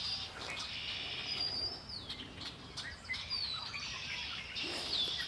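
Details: Several birds singing near the shore of Lake Erie, giving high thin whistles, quick descending chirps and scattered tweets that overlap against soft rural outdoor noise.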